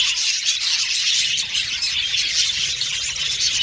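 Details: Dense chirping of male violet budgies kept in an aviary colony, a loud, even high-pitched twittering mass of many overlapping voices.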